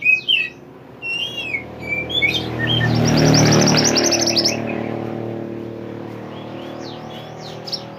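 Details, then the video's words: Mountain pied bushchat singing energetically as a training recording for songbirds: short high whistles, then a fast buzzy trill, partly drowned by a swelling vehicle rumble that fades into scattered chirps. "mantenan gacor burung masteran / chirping sound bird"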